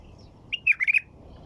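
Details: White-eared bulbul singing: one short, liquid warbled phrase of four or five rich notes that slur up and down, loud and clear over quiet background hiss.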